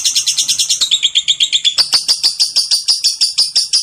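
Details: Lovebird kept as a pet bird, giving a long ngekek song used as a lure: rapid shrill chattering notes near 4-6k, about three per second, shifting pitch midway and running on steadily without pause.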